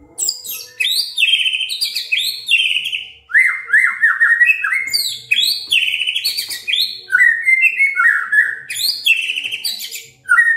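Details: White-rumped shama singing to trigger other shamas into continuous song: a rapid, unbroken stream of varied whistles, slurred downward notes, and harsh chattering bursts, with sweet fluty phrases woven throughout.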